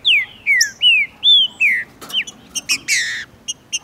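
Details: Male green-winged saltator (trinca-ferro) from Brazil singing hard with a female present, in tournament and breeding season, to set off another bird's song; five loud, clear, downward-slurred whistles, then quick sharp chirps and a harsher closing burst.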